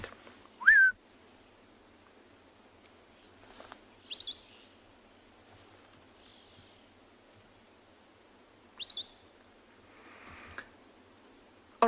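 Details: Various bird species calling at sunrise on a morning game drive, 31 May 2020, on a private game reserve in South Africa (Ngala or Phinda): a sharp rising note, then high thin chips spaced several seconds apart.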